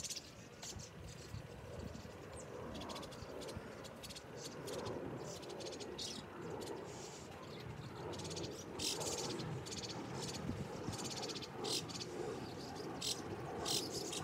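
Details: White-cheeked starlings feeding, finishing the food in no time: frequent harsh, grating call bursts, many close together, over a steady rushing background noise.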